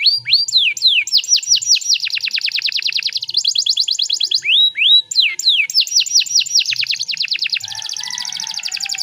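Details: Canary song used as a pancingan to spur other canaries into singing: clean, high, rapid trills of repeated notes, opening with rising upslurs and running in fast rolls that shift in pitch. There is almost no background noise.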